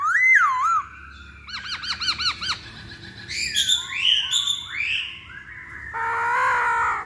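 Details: Masked laughingthrush singing as a lure to prompt other birds to sing: a looping whistle, a quick series of arched chirps, several upslurred whistles, then a harsh, buzzy chattering burst to finish.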